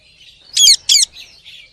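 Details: Rose-ringed parakeet, a talking ringneck parrot, lets out two loud, harsh screeching squawks in quick succession, then a few softer, fainter chirping notes.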